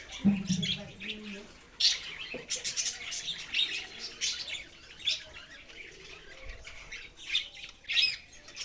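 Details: Budgerigar chirping: uneven bursts of high, grating chatter and squeaks, opening with a short low hum, then sporadic louder chirps amid quieter twittering.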